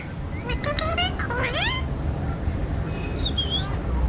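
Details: Pet parrot calling loudly, described as an angry voice, filmed on an iPhone; a few harsh, rising harmonic squawks in the first two seconds, then a faint whistled note, with steady low background hum and a spoken phrase after.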